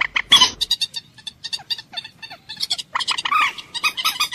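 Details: Common moorhen calling with a loud opening squawk, then a long train of short rasping clucks, irregular in spacing, rising in loudness toward the end.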